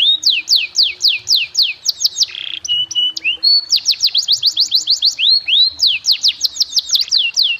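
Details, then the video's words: Canary master song in fancy melodic style for teaching young birds: rhythmic downward-sweeping whistles, a brief lower passage, then renewed fast series of swooping high notes. "MASTERAN KENARI CENGKOK MEWAH!!! BIKIN PAUD DAN BAHAN CEPAT GACOR!!!"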